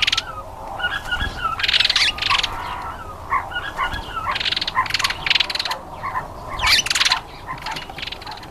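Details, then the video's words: African green pigeon calling: clusters of harsh, buzzy crackling bursts alternating with short whistled notes, repeated every second or two in irregular groups. "African Green Pigeon"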